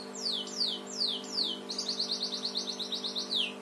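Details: Canary singing in the house sparrow style (cengkok burung gereja): a few sharp downslurred whistled notes, then a fast, even, buzzy trill of high notes repeated about three times a second, ending in another downslur over a low steady hum.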